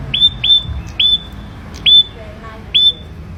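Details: Ashy prinia raised by hand from young, caged, repeating clear high whistled notes that flick upward and hold level, five in three seconds, over a low rumbling hum.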